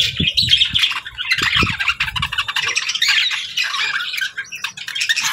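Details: Several pet budgies chirping together in a steady stream of scratchy warbles, squeaks and harsher squawks, with low knocking or handling noises in the first two seconds.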